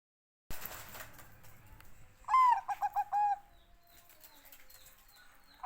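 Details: Bangkok-type zebra dove singing: one clear phrase opening with a falling whistled coo, then a quick run of short, evenly spaced hooting notes, after a quiet stretch of low background rumble.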